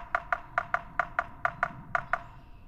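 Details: Yellow-bellied Sapsucker territorial drumming: about ten sharp, hollow knocks in an uneven, stuttering rhythm, mostly in loose pairs, over faint room hiss.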